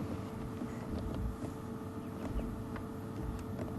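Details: A steady low rumble of vehicle engine and wind noise with faint scattered clicks, and no clear animal calls.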